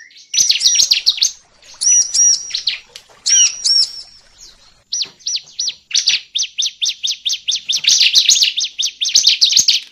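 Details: Lure sound for catching bar-winged prinia (ciblek): high, looping chirps and ringing arched notes at first, then a steady fast run of evenly spaced sharp chip notes building toward the end.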